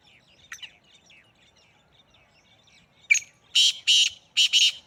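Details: Kala teetar, the black francolin, in Sindh, Pakistan: faint chattering notes early on, then a sharp note and a set of harsh, buzzy grating bursts, the last pair close together.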